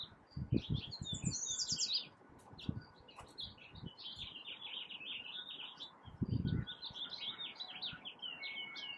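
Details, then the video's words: A Yellow Warbler singing in a California pepper tree in spring gives rapid phrases of bright, high chirps, repeated several times, with occasional low thumps. "Singing Yellow Warbler"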